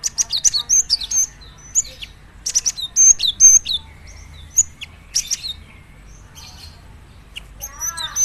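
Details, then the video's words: Gelatik batu, the cinereous tit, repeating bursts of high whistled and clicking chirps about every second or two, with varied note shapes and short pauses. "Dijamin gelatik batu lain langsung gacor dengar suara ini"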